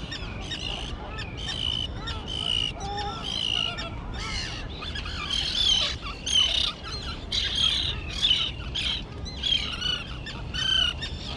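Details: Young terns, recently fledged, at their island colony overgrown with dense grass, give harsh, grating calls that overlap. Several birds call at once, in bursts that rise and fall in loudness, with a faint low rumble beneath.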